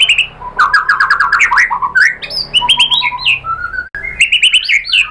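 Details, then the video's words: White-rumped shama used as a lure to provoke other birds into singing: loud, varied song of rapid repeated whistled notes, sweeping slurs and sharp chips, phrases changing every second or so, with short pauses between bursts. "MURAI BATU Langsung NYAMBER EMOSI BONGKAR MATERI ¦ PANCINGAN MURAI ¦ SHAMA BIRD"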